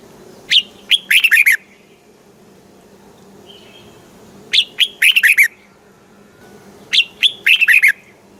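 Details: Red-whiskered bulbul in Thailand giving its southern master-style song to rouse caged birds and coach chicks: three well-spaced phrases, each opening with sharp rising whistles and ending in a fast cluster of warbled notes.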